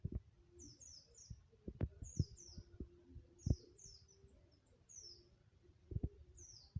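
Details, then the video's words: White-eye being trained to sing in a forest style, giving faint, high, thin downslurred notes in quick pairs and triplets, recurring in bursts across the clip over low thumping knocks and a soft hum. "Burung pleci ajar ngalas"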